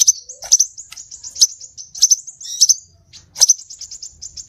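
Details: Scarlet minivet lure: continuous high chattering notes with strong clipped chirps roughly every half second and one short gap near three seconds.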